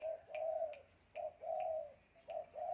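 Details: Wild spotted dove in Sam Khok district singing its three-note cooing style: repeated sets of a short coo followed by a long, even, mellow coo, over a hissy background with regular faint clicks.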